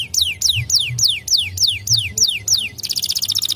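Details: White canaries singing beautifully: a series of clear whistled notes sweeping steeply downward, about four per second, then a rapid rattling trill at the end; faint low hum in the background.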